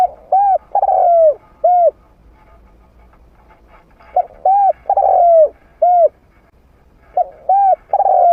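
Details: Trained spotted dove with a medium-pitched voice, played to lure wild doves to approach and fight: low hollow coos in short phrases of two quick notes and a longer falling coo, repeated about every three seconds, quiet gaps between.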